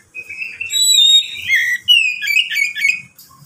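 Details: White-rumped shama song for prompting other shamas to sing: clear whistles and a high pure note, then a sweeping slurred phrase and a tumbling varied warble, loud and continuous.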